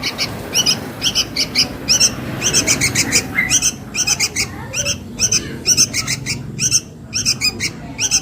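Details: Sooty-headed bulbul nestling calling its mother, used to lure birds: squeaky, rasping notes in short repeated bursts, fairly regular, over quiet background noise.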